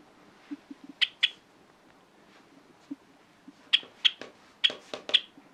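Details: Pet hand-tame Java sparrow, a flock bird that stays close and sounds cheerful when family members are around; sharp high chirps and clicking notes in short bursts, sparse at first, then a denser run of bright notes near the end.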